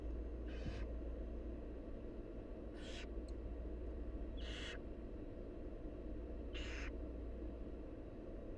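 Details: Wild barn owl nestlings beg for food from their mother with four drawn-out, wheezy hissing calls, evenly spaced about two seconds apart, backed by steady low rumbling noise.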